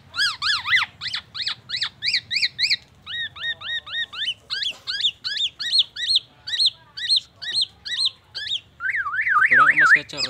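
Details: Black-naped oriole delivering a mimicry song of murai batu and ambulance siren: regular repeated zigzag whistles, several changing phrase types about three per second, closing with a rapid wavering siren-like whistle.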